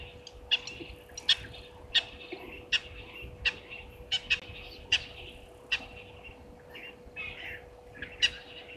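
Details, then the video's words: Spurfowl on the dam wall at Gowrie dam, Djuma Game Reserve, Sabi Sand Wildtuin, South Africa, filmed by a waterhole camera at 16:19 on 16 September 2023. Harsh, sharp notes repeat about every three-quarters of a second, with faint twittering between them. "Spurfowl on the dam wall"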